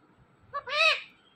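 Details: Talking pet parrots conversing, two of them together: a brief nasal note followed by one loud, rich, arched squawk with many harmonics, lasting about half a second.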